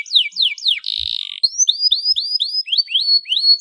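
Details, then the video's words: Canary lure song for encouraging other canaries to sing: quick falling whistled slurs, a short buzzy roll, then a steady series of rising, hooked whistled notes repeated about three times a second. "CUITAN KENARI 7 !! KENARI GACOR DOR PANCINGAN JITU KENARI BAHAN"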